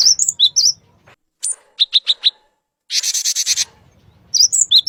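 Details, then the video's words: Male Cinereous tit giving short, high, chirpy notes, then a quick run of four clipped lower notes and a burst of harsh rustling noise before the sharp chirps resume. "Suara Burung Glatik Batu Jantan"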